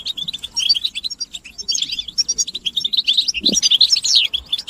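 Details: European goldfinch mating and readiness calls used to end a male's silence: bursts of high tinkling chirps and jumbled twitters, with a couple of fast downward slurred notes near the end.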